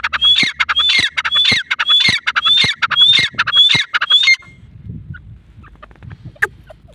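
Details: Grey francolin (dakni teetar), chicks shown: loud rasping phrases, each ending in a thin rising whistle, repeated about every half second for four seconds, followed by a low background rumble and one sharp click.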